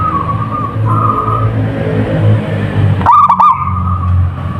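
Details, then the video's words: One abrupt rippling phrase from a local wild zebra dove near the end, after faint level whistles, all over a strong low engine-like drone. "perkutut lokal gacor / suara merbok suara perkutut merdu"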